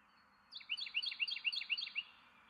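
A Carolina wren gives a loud, ringing burst of about seven quick, repeated two-note phrases over a second and a half, against faint background hum.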